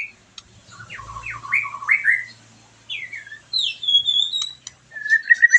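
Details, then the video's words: White-rumped shama song meant to provoke a response from a bird just out of moult: quieter, scattered whistled slurs and a few drawn-out high whistles with pauses between phrases. "PANCINGAN MURAI BATU BERES MABUNG LANGSUNG NYAUT,PENAMBAH EMOSI DAN BIRAHI"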